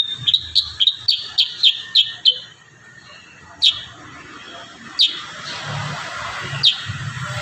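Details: Kurincang in lively varied song, recorded as tutor audio for young birds: a quick run of sharp, downward-slurred high chirps, then scattered single chirps after a pause, with a faint low rumble beneath.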